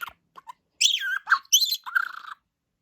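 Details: Budgerigar named Boo chatters in a raspy, high-pitched voice, mimicking short human phrases such as "cup of tea", "hello granny" and "hello gorgeous".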